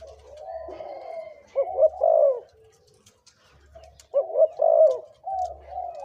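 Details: A 2–3-year-old spotted dove kept as a decoy bird gives two bubbling, hollow coo phrases about three seconds apart, with quieter steady cooing underneath.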